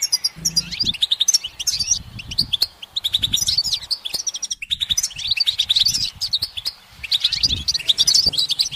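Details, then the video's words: Continuous rapid twittering from a singing goldfinch, liquid chirps and rattling trills tumbling together almost without break, a short gap midway, soft low thumps in the background. "The goldfinch's motivational song"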